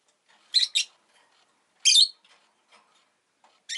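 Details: Rosy-faced lovebird kept as a pet, having just laid an egg: a quick pair of shrill, raspy chirps, a longer grating chirp, then another sharp note cut off at the end.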